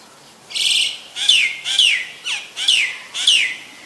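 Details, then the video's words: Green-billed malkoha calling: a run of five loud, clear notes, each sliding sharply downward, spaced about two-thirds of a second apart over a quiet background. "นกบั้งรอกใหญ่ (Green-billed Malkoha)"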